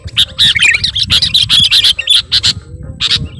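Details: Sooty-headed bulbul calling a rival in a rapid stream of harsh chirps and warbled whistles, nearly continuous, ending with a few isolated sharp notes.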